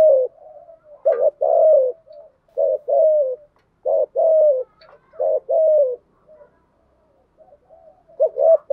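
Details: Spotted dove decoy bird, a female used to lure and stir wild doves, giving calling coos: a run of short, low, hollow coo phrases, wavering then drawn out, repeated about every second with brief pauses in a quiet setting.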